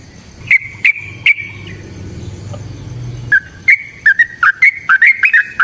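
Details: ['Trucukan, the yellow-vented bulbul, singing as a lure to start other birds singing: three sharp chirps, a pause with low hum, then an uneven run of rapid clipped whistled notes.']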